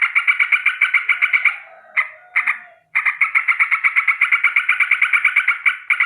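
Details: A yellow-vented bulbul in the morning gives a fast, buzzy rolling chatter of about eight notes a second, described as an alarm call, breaking off briefly before running on without pause.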